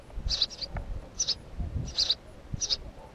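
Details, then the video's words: A house sparrow utters four loud doubled chirps, high and sharp, spaced about three quarters of a second apart, over soft low thumps and rustling. "Воробей домовый"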